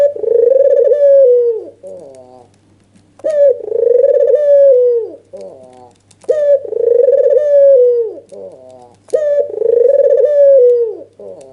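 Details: White dove with red eyes, an albino, calling excitedly with nodding display to spur a rival to respond; four steady coos roughly every three seconds, each a sustained hum that drops at the end, followed by short choppy notes.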